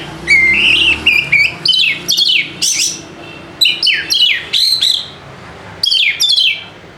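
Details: A white-rumped shama's song, used to lure lazy kept birds into singing. Lively run of high, varied whistled phrases, mostly falling sweeps and trills, delivered in rapid groups over seven seconds with one brief pause.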